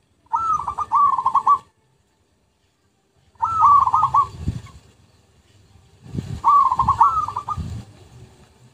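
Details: Zebra dove song used as a lure, three long rolling phrases of stuttering coos, each about one to one and a half seconds, separated by silent gaps, with low thumping noises underneath.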